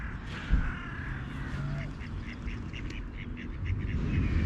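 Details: Four ducks at a wild bird feeding spot in Kreuzlingen, Switzerland, during a Saturday feeding; a quick run of short, nasal quacks repeats in the middle of the recording over steady low rumble and outdoor background noise.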